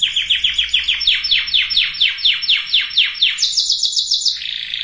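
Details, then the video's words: Canary song for readying breeding birds of both sexes. Slow, regular, rising-falling chopped syllables, about two per second, then a faster higher trill and a lower rolling phrase. "تغريد كناري لتجهيز الاناث وتجهيز الذكور canary singing"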